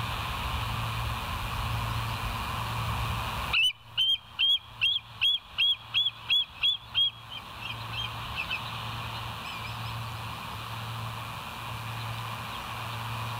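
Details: Bald eagle at the West End nest, filmed by a live nest camera on 20 July 2023 at 05:04, giving about ten high, thin chirping notes in a quick run. A few fainter notes trail off over a steady low hum.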